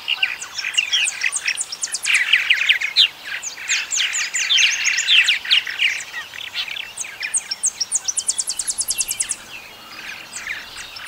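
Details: Purple martin song, a long bubbling chatter of chirps and twittering notes, swelling into a dense burst midway, then a fast, regular series of short dry ticks before quieter warbling resumes.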